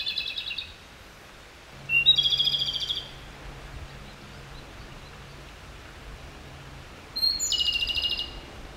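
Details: Japanese robin song, described as subsong: repeated phrases, each a sharp high note followed by a quick rolling trill that fades slightly, spaced roughly five seconds apart. A faint low steady hum runs through the middle.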